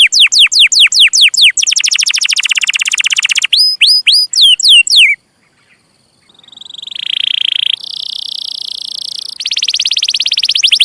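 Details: Canary singing a long rolling song for training young canaries: quick downslurred whistles giving way to a fast dense trill, clipped rising notes, a short silence, then buzzy sustained trills at stepped pitches.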